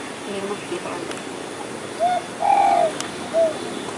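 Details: A spotted dove, seen near the Ciliwung river and thought to be male, gives a soft, low three-part coo: a short note, a longer wavering middle note, then a brief closing one, over faint outdoor hiss.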